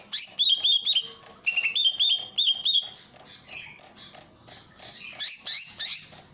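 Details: Greater green leafbird master song for training birds, from Ujung Kulon, played over a water fountain: bright whistled phrases repeated in quick runs near the top, with a low wash of running water beneath.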